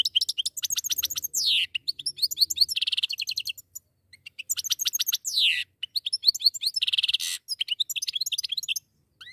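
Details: A pair of goldfinches singing: rapid, continuous high twittering with fast trills, buzzy rattles and quick downward-sweeping notes, in two long bursts separated by brief pauses; no other sounds.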